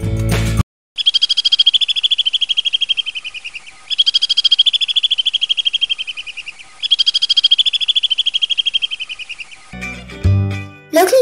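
Alpine Swift giving three long, rapid trills, each dipping and rising slightly in pitch over about three seconds.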